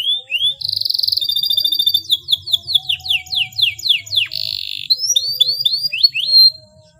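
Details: Prolific canary song with clear rolls, intended to prompt mute canaries to sing: a whistle, a buzzy trill, a descending sequence of swept notes, then a series of quick upslurred notes.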